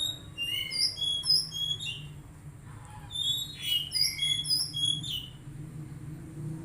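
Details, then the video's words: Varied magpie-robin song meant to coax a young untrained bird into singing: rapid sequence of short sweet whistles at shifting pitches, some slurred down, mixed with thin squeaky notes over a low hum. "Terapi Kacer Bahan Agar Cepat Bunyi"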